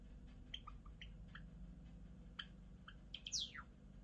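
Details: Soft scattered clicks and chips from a Java sparrow build to a single loud descending whistled sweep near the end, over a low steady hum.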